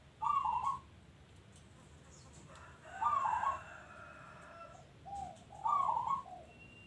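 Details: Local-strain zebra dove singing: three loud, rippling trilled coos a few seconds apart, with short soft coo notes between them and low steady background noise.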